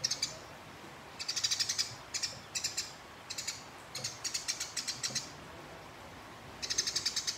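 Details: House sparrow fighting a rival, giving long rolling chatter meant to provoke opponents: bursts of rapid, harsh, buzzy ticking notes, each burst about a second long, with short quiet gaps between them.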